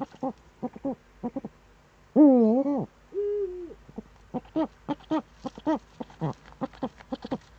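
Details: Eurasian eagle-owl in the Eifel, 26 September 2013, shortly after seven in the morning: steady short staccato notes, then a long arched nasal call and a flatter drawn note, before the rapid notes resume.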